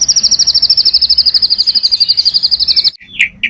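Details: White-rumped shama singing a full-repertoire song, used as a lure for other shamas: a rapid, even trill of high buzzy notes repeated about three times a second for nearly three seconds, then two short sharp chips.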